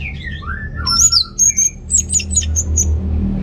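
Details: Lively orange-headed thrush song used to spur unmotivated males: descending slurred whistles open, followed by bursts of very high squeaky notes and quick chips over a steady indoor hum.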